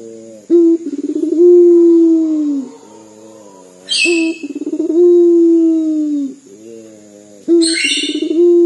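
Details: Local puter dove from Indonesia with a call said to sound like crying: three long, low coos about every three and a half seconds, each beginning with rapid stutters, plus two brief sharp rustling bursts.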